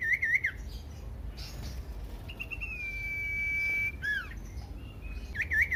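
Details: Common iora song, used as a lure to set off other ioras: rolling warbled whistles that open and close around one long, steady, drawn-out whistle, over a low background rumble.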